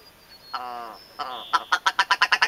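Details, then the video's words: Ptarmigan, Alaska's state bird, recorded at Savage River in Denali National Park: two harsh, nasal, drawn-out croaks, then a quick run of about nine clipped, rattling notes, with a faint high whistle at the start. "Ptarmigan Song"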